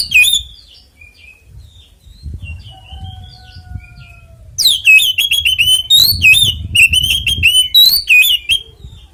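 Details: Magpie-robin (kacer) 'ngeplong tarung' fighting song used to set other magpie-robins singing; a few scattered whistles and a soft steady low whistle at first, then from mid-clip a burst of loud, fast, shrill slurred notes.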